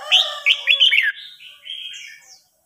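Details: Song-contest recording of red-whiskered bulbuls, old bird against young: a quick series of loud, looping whistled notes, then trailing softer warbles fading out.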